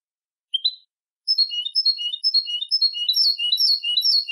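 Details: European goldfinch song for tutoring young birds: a single short rising call note, then a lively stream of clear, tinkling twitters that grows denser and more chattering toward the end.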